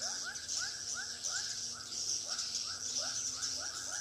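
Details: Swiftlet sound from a three-storey bird house in Pekanbaru, with short upward-sweeping chirps in a regular series and dense high-pitched twittering behind them.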